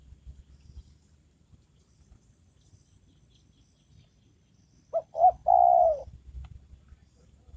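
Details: After several seconds of low background rumble, a trained decoy spotted dove used to attract wild birds utters a single phrase of two brief coos and one long, gently dropping coo.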